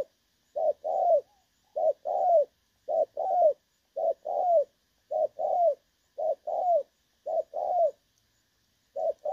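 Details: Spotted dove, 'đồng son' call used as a decoy for trapping, dated 16 August 2024. Regular series of paired coos, each a short low note followed by a fuller descending note, repeating roughly every second with quiet gaps.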